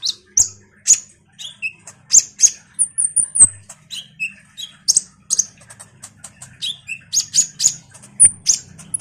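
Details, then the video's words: Common iora singing energetically, kept as a lure sound to make other songbirds respond: a rapid run of sharp, high chirps and short whistled slurs, some downward, in quick irregular bursts over a faint low hum. "suara PANCINGAN KONIN GACOR NGOBRA"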